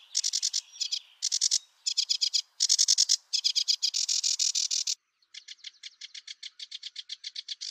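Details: A sedge warbler singing in reeds gives a fast, scratchy, jazzy chatter of repeated buzzy and whistled notes, ending in a rapid, even rattle; no other sounds are heard.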